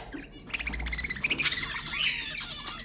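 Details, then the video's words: Budgies in chattering song meant to stimulate other budgies: a short burst of harsh squawks and bright chirps that swells and then trails off into softer warbling. "أقوى أصوات البادجي المحفزة"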